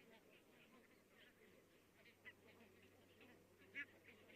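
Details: Many barnacle geese calling in the distance in Estonia on 22 October 2017: a soft, continuous chatter of overlapping short yapping notes, with two sharper barks standing out near the end over a steady low hum.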